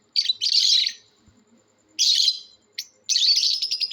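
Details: Natural lovebird calls in a calling competition: two harsh, rasping chirp bursts, a brief sharp squeak, then a longer scratchy chattering run, each separated by short pauses.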